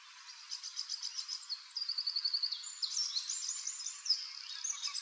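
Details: Male Eurasian wryneck in Drenthe, 29 April, calling from an old woodpecker hole during courtship to entice a female; fast series of high repeated notes amid busy chirping of other songbirds.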